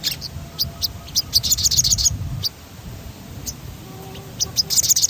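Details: Sogon rolling song played to stimulate other birds: spaced high ticks leading into a bright fast roll, a quiet gap, then another short burst of rapid chirps, over low background rumble.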